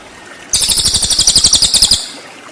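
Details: Cililin singing for shama training: a brief, loud, fast trill of bright high notes, about one and a half seconds long, evenly pulsed, then fading quiet.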